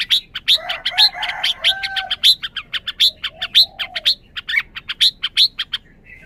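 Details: Red-whiskered bulbul calling in a fast, steady run of crisp chirped notes, roughly four per second. Softer lower warbling sounds in the background come and go.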